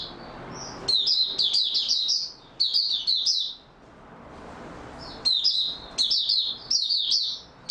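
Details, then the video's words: Kept Oriental white-eye in stable singing form, producing fast high-pitched twittering phrases in two groups split by a quiet gap of about one and a half seconds. "Mata Puteh Raja Video 1 buka sing stable form"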